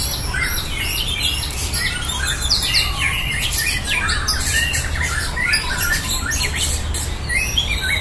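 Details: White-rumped shama (murai batu) singing in a contest song duel, dense overlapping whistled and chattering phrases high in pitch, several birds at once, with a steady low hum underneath.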